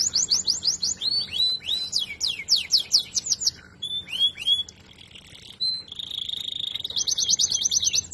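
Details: Canary song mixing rapid series of high rising and falling slurred notes, a brief pause, a buzzy stretch and a steady whistle, then a quick run of repeated high notes; a faint low hum sits underneath.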